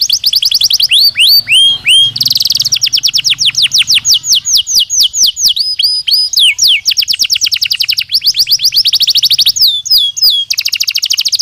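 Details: Belgian canary singing naturally for training another canary: varied song of downward-swept whistles, dense fast trills and a brief buzzy note, phrases shifting in speed throughout, loud and continuous.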